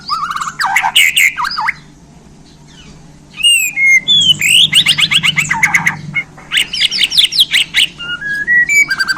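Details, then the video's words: Bornean white-rumped shama, newly acquired, pours out a varied repertoire: rapid trills, looping whistles and clicking notes in bursts, a brief pause, then fast repeated staccato notes and rising whistled phrases. "Murai Borneo Ini Langsung Kasih Isian Pedas"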